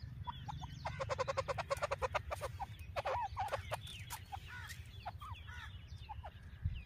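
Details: Female grey francolin (Francolinus pondicerianus) calling: a fast run of harsh clucking notes, then scattered scratchy rising and falling calls over a steady low rumble.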